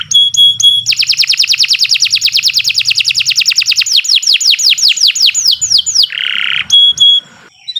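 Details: Canary (Kenari Nusantara) in long, continuous masteran song: short clipped whistles, then a lengthy rapid trill of high sweeps that gradually slows into spaced downslurs, followed by a harsh buzz and thin whistles.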